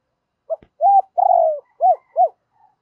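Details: Low, mellow cooing of a spotted dove, used to excite a decoy bird: a short lead-in note after a faint click, then a coo, a long wavering coo and two arched coos, all in one tidy phrase.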